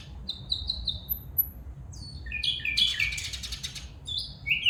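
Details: Female bulbul calling: a few thin, high chirps repeated, then a louder, busy cluster of harsh chirping and sliding notes, ending with a bright upward note.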